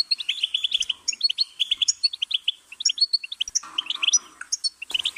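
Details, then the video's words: A goldfinch pours out rapid, liquid twittering, high chirps strung into quick phrases, with a buzzier, lower-toned passage just before the final second. "Goldfinch's Singing"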